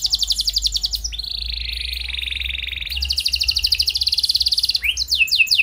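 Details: Canary song meant to draw replies from other canaries; quick high trills, a sustained lower rolling trill, another rapid trill, then sharp falling sweeps.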